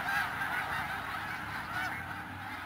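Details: Brief stretch of a big snow goose gathering at Middle Creek, Pennsylvania: countless honks blend into one roaring chorus, slightly louder at the start, with a few distinct higher yelps standing out.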